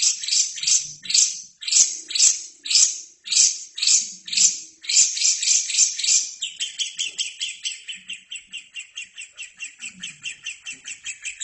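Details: Lovebird song recorded to train other birds: loud rasping screeches repeated about twice a second, then shifting into a fast, even, trilling chatter with quieter low murmurs beneath.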